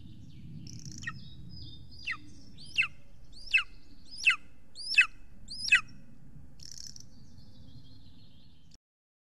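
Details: Estonian golden eagle at its nest, 3 June 2020 around 7 pm, as a huge prey arrives: six loud downslurred yelps in about four seconds, bracketed by softer whining notes, then sudden silence.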